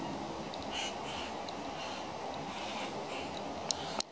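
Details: One of three baby currawongs in trees around a house, all wanting food, gives harsh, raspy begging squawks repeated irregularly over a steady background hiss; a sharp click closes the recording.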